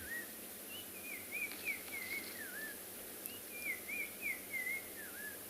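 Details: Black-crowned tchagra (Tchagra senegalus) in a quiet South African game reserve on an afternoon of 27 February 2021, calling loudly: two slurred whistled phrases, each wavering and dropping in pitch at the end, over a steady background hiss.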